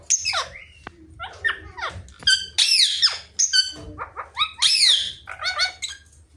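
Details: Talking rose-ringed parakeet (mithu parrot): a near-continuous stream of loud, harsh, harmonic squawks and squeaks, each sweeping sharply up or down, in quick irregular bursts with brief gaps, over a faint low hum.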